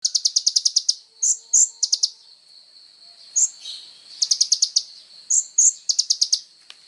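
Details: Kolibri ninja sunbird singing persistently, recorded as training material for songbirds: bursts of rapid high buzzy trills alternate with sharp bright chips, the trills of about eight notes returning every second or two.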